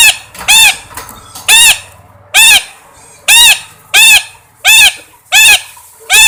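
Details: Parrot calling repeatedly: loud, harsh arched squawks, one roughly every three quarters of a second, steady and insistent.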